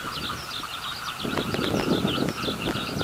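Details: Eurasian skylark singing high in the sky above a rice paddy. Continuous rapid twittering and warbling runs over a steady droning tone. A frog chorus of low pulsing croaks sets in after about a second and grows louder.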